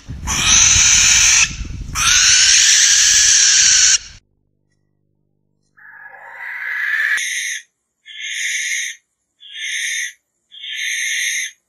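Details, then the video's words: Barn owl (Tyto alba) giving long, harsh, hissing screeches of about two seconds each, followed by a run of four shorter rasping bursts spaced roughly a second apart. "Barn Owl Song! Barn Owl Call! Barn Owl Sound! - Lechuza Común / De Campanario Canto - Tyto Alba"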